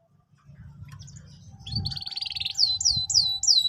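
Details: Canary song for training young canaries: begins amid low rumbling background noise, then a buzzy trill and four loud falling whistled notes spaced about every third of a second.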